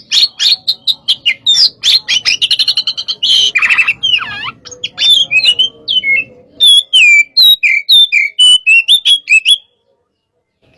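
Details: Hot-type white-rumped shama used as a training song. It delivers a loud, fast, varied run of high whistles, chips, rasping notes and slurred rising and falling phrases. The notes are packed almost without pause before stopping abruptly near the end.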